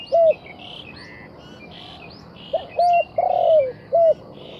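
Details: Dove cooing in low, soft notes: a single coo, then a short run of clipped notes and one longer drawn coo, over a busy chorus of higher chirping and whistling birds.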